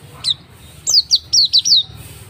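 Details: Pleci auri, an oriental white-eye, in a lure track for making a bird sing: one high chirp, then four quick, sharp, descending notes close together above a soft low hum.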